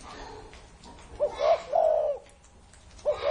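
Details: An elderly spotted dove, more than thirty years of age, sings one full phrase of low, mellow coos: a brief upward note followed by two drawn-out hoarse coos, with a new phrase starting as it ends.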